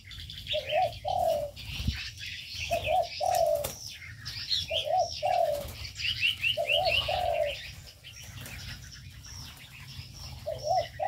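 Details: Inside an aviary, brief low cooing bursts come in small groups every second or two. Short high chirp runs and scattered twitters fill the gaps, with a faint low rumble underneath.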